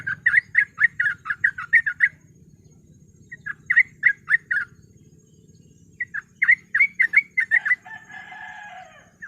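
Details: Sooty-headed bulbul in fast 'ropel' song for luring, heard as bursts of rapid chirpy notes separated by short pauses. A harsh buzzy chatter closes the passage.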